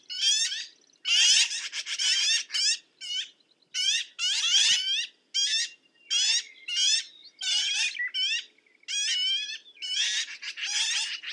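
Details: Harsh, buzzy squawks of a black-billed magpie repeated steadily for about eleven seconds, short rasping notes coming roughly once a second, some closely doubled.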